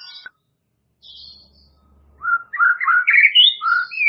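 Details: White-rumped shama, used as a remedy for a bird that is lazy to sing, delivering a rich run of varied whistled notes that rise and fall quickly after a brief faint high phrase and a quiet pause.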